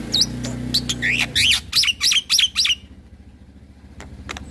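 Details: Song of a head-bobbing black-winged starling meant to agitate other starlings: a quick string of loud, slurred rising whistles with a droning hum behind, followed by quiet and a few faint clicks.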